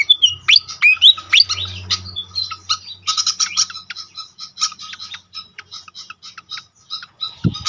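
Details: Pied fantail song used as a lure to make other fantails sing. Sharp, squeaky whistled notes sweep up and down, followed by rapid bursts of dry chattering chips. Other similar chirping voices overlap, with a faint low hum underneath.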